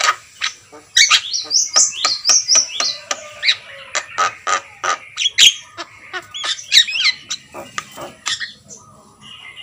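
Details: Javan myna (jalak kebo) in loud continuous song: quick squeaky whistles and harsh chattering notes in a steady rapid run, ending in a softer trailing note.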